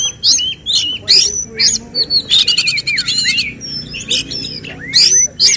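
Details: Oriental magpie-robin at a songbird contest giving tembakan, the shooting song phrases sought by judges: varied sharp whistled notes and slurred rising and falling phrases, with a burst of rapid clicking chatter in the middle, separated by short pauses.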